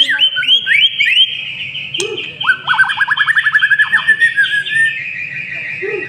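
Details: White-rumped shama lure song: rising whistled slurs, then a fast rattling series of about a dozen clipped notes, trailing into a long high sustained whistle.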